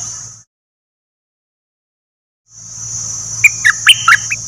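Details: Decoy bulbul, one of three, giving a brief run of quick bright chirps near the end, over a constant high whine and low electrical hum.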